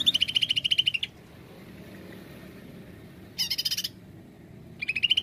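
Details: Greater green leafbird performing the 'nembak' style as a lure: three bursts of rapid, evenly pulsed, high trills, a one-second rattle, a short harsher burst, and a rising trill starting at the end.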